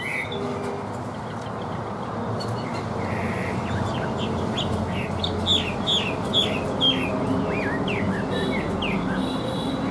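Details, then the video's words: Caged Chinese hwamei, said to sing well with an even voice. An opening whistle is followed by a quickening string of short upswept and downswept notes over steady background noise. "HÓT TỐT RA GIỌNG ĐỀU"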